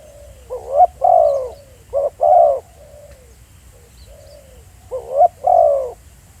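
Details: Spotted dove in the field, giving low, throaty coos. A short note and a longer falling coo come twice in quick succession, then a softer trailing coo, then another short-plus-long phrase.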